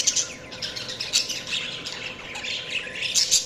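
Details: Continuous budgerigar chatter of overlapping squeaky chirps and harsh warbled notes, staying busy throughout with sharp high accents at start and end.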